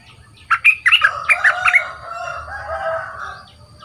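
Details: Two-month caged young bulbul in decoy training sings a quick cluster of sharp chirpy notes, followed by a longer, lower drawn-out sound in the background.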